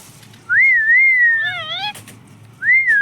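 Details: Talking pet parrot, said to say mummy papa, producing a loud wavy whistle, a brief harmonic squawk that slides upward, then another wavy whistle at the end.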